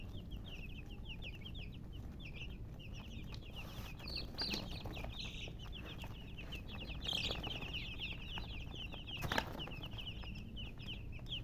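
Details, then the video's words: Several baby chicks peep steadily, short high chirps tumbling over one another, a few louder cheeps standing out, a brief click or knock late on, and low rumbling noise underneath. "Baby "Chicks Chirping" Sound"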